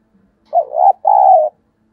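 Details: Spotted dove cooing as a lure to stir decoy and wild doves. A two-part phrase: a wavering, throaty note, a short gap, then a longer, steady mellow coo. Nothing else is heard.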